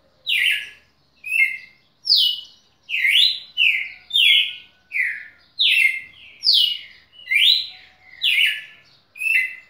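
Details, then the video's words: Red-cowled cardinal used as a tutor bird, delivering a loud run of whistled, slurred notes, some rising and some falling, spaced under a second apart in a quiet room. "Galo-de-campina professor"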